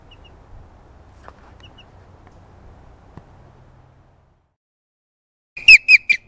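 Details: A captive one-winged osprey at a raptor center, which gets very loud on seeing people, gives three loud, high, whistled chirps in quick succession near the end, each sliding slightly downward, after a long stretch of faint background hum.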